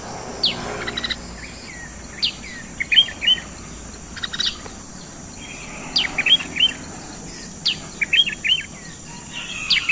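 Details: Sooty-headed bulbul singing and drawing residents' attention: short, bright chirped phrases of two to four quick notes, repeated irregularly every second or two, over a steady high insect buzz and faint rural background.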